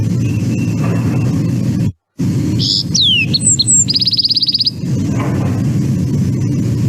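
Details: Lark sparrow (Chondestes grammacus) song, which differs each time it sings: one short, varied phrase of high clear and sliding notes, then a fast, even, metallic trill, over steady low rumble and hiss.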